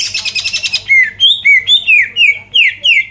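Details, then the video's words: Greater green leafbird song meant to provoke rival birds: a short harsh buzzy rattle, then a steady series of about eight clear whistled notes, each sliding downward, spaced roughly a third of a second apart. "PANCINGAN CUCAK IJO GACOR BUKA PARUH BIKIN LAWAN CEPAT ON LANGSUNG EMOSI DENGAR SUARA INI"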